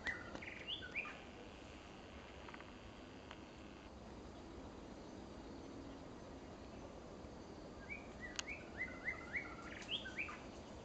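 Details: Female white-rumped shama giving short chirped and slurred notes in two brief bursts, one near the start and a longer series toward the end, over a steady background hiss.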